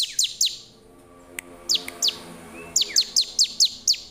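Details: Bar-winged prinia singing to challenge wild rivals: short bursts of piercing, falling chip notes separated by a pause and a soft click, then a steady run of six chips.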